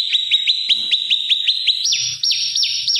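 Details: Olive-backed tailorbird master song for oriental magpie-robin training; quick regular clear chips, then higher, slower, strongly downslurred notes, with a faint low rumble behind.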